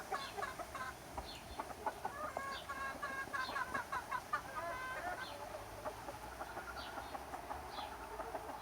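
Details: Chickens and roosters enjoying summer time, a flock clucking: many short harmonic clucks in quick, irregular runs, some overlapping, with faint higher chirps from other birds in the background.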